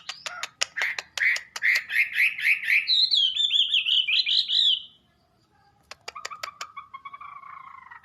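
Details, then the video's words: Wambi singing: a string of sharp clicks leads into fast repeated warbled notes, then a higher trilling rolling phrase, a pause, more clicks and softer lower whistled chatter. "Burung Wambi || Salah Satu Jenis Burung Bersuara Indah nan Merdu"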